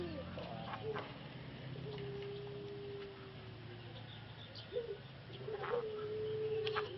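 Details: Male Pelung dove, breeding stock in Solo, Indonesia, separated for treatment after its voice vanished; two long level coos several seconds apart, with scattered clicks and soft background noise.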